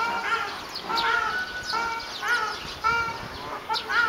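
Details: Peafowl fighting in Kumamoto, Japan, on 4 June 2011: a series of short, harmonic, nasal calls, each rising then falling, repeated about every half second to second in irregular bursts, with faint background hiss.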